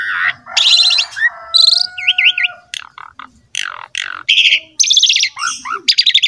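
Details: Asian pied starling singing energetically, played to stimulate other starlings to sing: buzzy bursts, a triple wavy whistle, a long low held tone, then harsh chattering notes and quick rising chirps.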